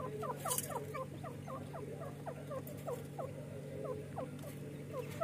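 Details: Two francolin chicks fighting and playing together: a rapid stream of thin, high peeping notes, each sliding downward, several per second, over a steady low hum.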